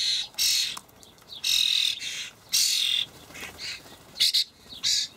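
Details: Young common starlings calling for food as parents deliver dried buffalo worms partly taken from a nearby feeder, Hamburg, 28 May 2012: about five drawn-out harsh rasps followed by shorter clipped, scratchy notes.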